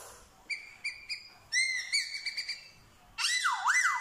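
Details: Black-throated laughingthrush in Vietnam, a trained mimic of dogs, cats and chickens: short flat whistled pips, a chirpy rising phrase with quick notes, then a loud siren-like note swinging down and up twice.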